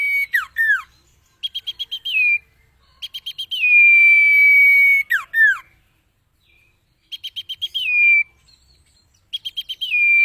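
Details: Common iora recorded for cage-bird training, singing repeated phrases of rapid short notes, drawn-out level whistles and sharp downslurs, separated by brief pauses.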